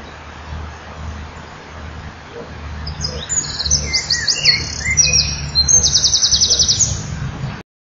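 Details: Male common kingfisher at the nest during incubation at 07:10, having taken over brooding from the female; high thin piping calls in quick repeated series, rising to a fast rattling run near the end, over low steady background hum.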